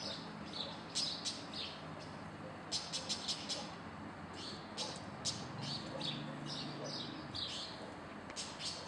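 A White-banded mockingbird sings a varied string of sharp, high chirps and short phrases in quick bursts, over a low background rumble.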